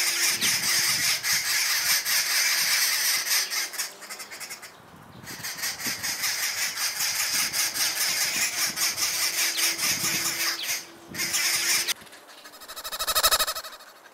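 Arrow-marked babblers give a harsh, grating chatter of rapid raucous notes with two brief pauses, followed by a soft rushing swell at the end.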